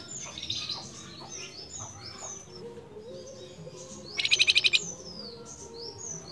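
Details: Flamboyan bird calling its female, a fast burst of about seven clipped high chirps delivered evenly, set among scattered thin whistles and twitters from other birds.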